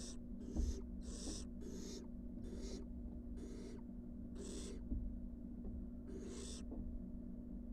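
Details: Wild barn owl nestlings back in their nest box after time on the porch, giving harsh, breathy hissing calls roughly once a second, about seven rasping bursts in all, over a steady low electrical hum.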